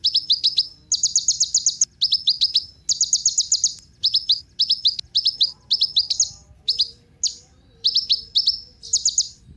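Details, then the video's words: Kolibri ninja sunbird, played to get other birds singing: short bursts of rapid, very high buzzy chips, each burst about half a second, coming in quick succession over a quiet background. "Kolibri Ninja Pancingan Penggacor Burung Cocok Buat Isian Segala Burung"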